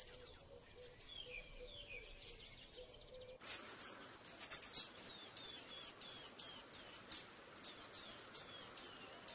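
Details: Eurasian blue tit song, soft and distant at first with faint trilled phrases, then louder: a steady series of high, sharp down-slurred whistles repeated rapidly, about three per second.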